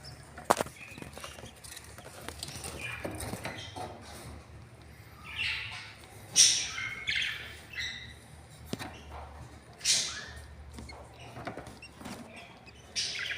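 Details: Budgerigar chicks in a nest give harsh, raspy begging calls in scattered bursts, with soft chirps between.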